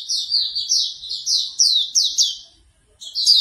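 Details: Bright, piercing chirps of a Hume's white-eye falling in pitch, delivered in a lively sequence, trailing off and then restarting; morning track played so a bird opens its beak to sing.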